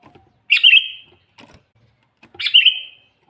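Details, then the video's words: Sooty-headed bulbul used as a trapping lure: two rich, gurgling warbled phrases roughly two seconds apart, with faint clicks in between. "suara burung kutilang gacor full buat pancingan kutilang pikat"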